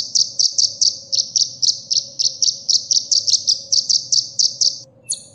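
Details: Sunbird song, masteran recording for training caged songbirds: a steady series of about twenty sharp high chips, evenly spaced roughly four per second, ending with a brief higher metallic note.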